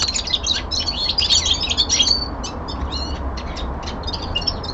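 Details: Common linnet, a young male at home, gives a loud burst of fast twittering and whistles, then quieter spaced chirps and short trills at a quick, uneven pace.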